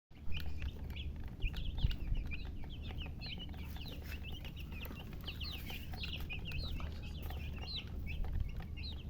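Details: Baby chicks chirping: many high, thin peeps rising and falling in quick overlapping bursts, steady through the recording, over a low continuous hum.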